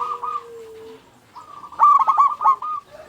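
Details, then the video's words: Local zebra dove in lively song, meant to lure other zebra doves to sing. A faint low coo and a pause give way to a bright, rapidly stuttered cooing phrase ending in a soft note. "Perkutut Lokal Gacor Suara Paling Ampuh Untuk Pancingan Burung Perkutut Agar Bunyi"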